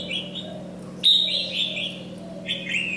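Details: Red-whiskered bulbul, molting yet singing hard, delivers short clear whistled notes, a loud burst after a pause, then a brief rising whistle; soft background hum.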